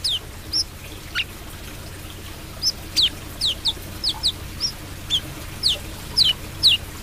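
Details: Brown-throated sunbird singing actively. It gives a series of thin, sharp, high-pitched descending whistles, some paired, at about two per second, over quiet background hiss.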